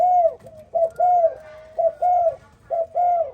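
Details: Close, clear cooing of a spotted dove in the morning: mellow, hollow notes grouped in short rhythmic phrases, with a quiet background.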